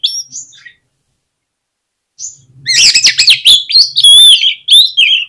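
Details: Oriental magpie-robin singing as a lure meant to spur other birds into song. A brief whistled phrase and a pause lead into a dense, loud run of sharp chips and sweeping whistles. A faint low hum sits underneath.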